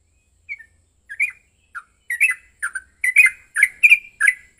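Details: Lure recording of a yellow-vented bulbul's emotional fighting song: hesitant, isolated whistled notes at first, then rapid gurgling phrases repeating faster and louder toward the end.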